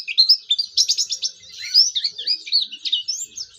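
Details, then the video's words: Oriental white-eye singing actively, used to prompt other white-eyes to join in: a rapid, high twittering warble of thin slurred whistles and quick trilled chirps, continuous for nearly four seconds. "pleci gacor belajar buka paruh"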